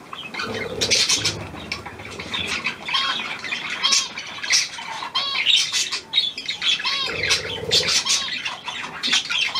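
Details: New hand-tame Australian pied budgerigar, 17 February 2023, chattering with rising and falling whistled squeaks mixed with rasping squawks, quick and irregular, alongside a faint low hum at times.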